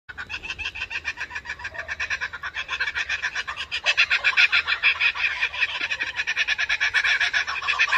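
A kookaburra gives a harsh, rapid run of chuckling notes, about three or four a second, that swells louder midway and carries on without a break.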